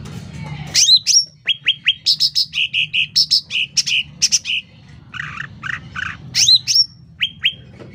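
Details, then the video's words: Sooty-headed bulbul song, loud and lively: upslurred whistles lead into a long, fast sequence of clipped chirps at two pitches, then a few burry notes and more rising whistles. "Suara Cucak Ranting Gacor Volume Keras"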